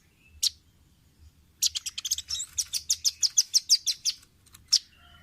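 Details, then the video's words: Velvet-fronted nuthatch, recorded as a training master for caged birds: an isolated high chip, then a fast run of about fourteen sharp, high, ticking notes, ending with one more separate chip. "Masteran Ampuh burung rambatan paruh merah/masteran audio rambatan jernih mudah di tiru"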